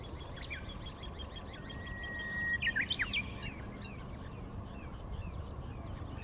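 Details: Little ringed plovers, newly migrated, chase each other on a riverbank sandbar on 31 March, possibly courtship, calling all around: a drawn-out level whistle, then a quick burst of sharp, high, down-slurred piping notes over a steady low rumble of wind or traffic.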